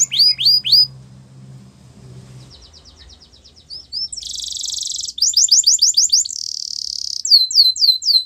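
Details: Belgian canary song for singing practice: sweeping whistled downslurs, a soft chattering trill, then loud dense buzzing rolls alternating with fast curved whistles, over a low hum at the start.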